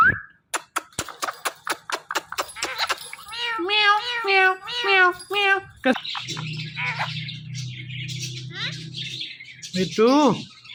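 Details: Pet talking parrot calling "Mithu", mimicking meows: a rapid series of clicks leads into repeated wavering meow-like calls, then hoarse chatter and a rising squawk over a low hum.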